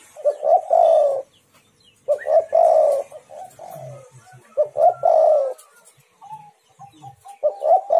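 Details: Spotted dove cooing to provoke other doves into calling: three strong phrases of short hoarse notes and a long falling coo, roughly two seconds apart, with fainter softer coos and a faint higher whistle between them.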